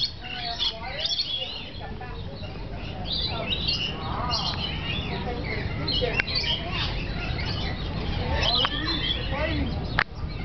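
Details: Several lorikeets in an aviary during mating season, paired up, give a busy stream of shrill, screechy chirps and squeaky chatter over a low rumble of background noise.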